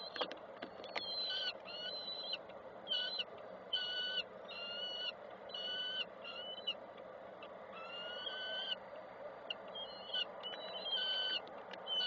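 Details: At a Koszalin nest on 7 June 2024, adult peregrine falcons come and go while one calls. It gives a long series of rasping, wailing notes, each under a second long, repeated roughly once a second, with some slightly rising, over a constant low hum.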